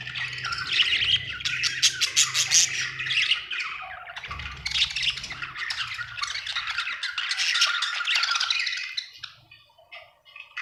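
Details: Happy budgie chirping in a rapid chattering warble of squawks, clicks and high tweets, fading out near the end; low background hum and a thump are heard.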